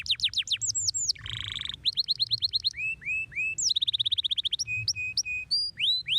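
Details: Shrill, extended canary singing with varied phrases: fast falling sweeps, a harsh buzzy burst, steady level whistles and quick chattering trills, all very high and loud, changing phrase every second or so.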